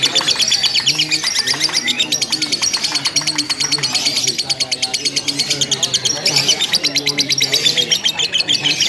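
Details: Lovebird in a simulated singing contest, giving 'ngekek', long chattering without pause. Dense, rapid, high-pitched ticking chatter runs unbroken, about three pulses a second, over a low humming murmur.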